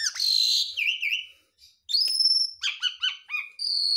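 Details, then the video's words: Jalak suren, or Javan pied starling, pumping as it sings a mimicry-filled song: a harsh buzzy burst, wavering chirps, a brief pause, then long pure whistles and quick looping notes, clean and without background sound. "JALAK SUREN GARUDA MOMPA, isian full"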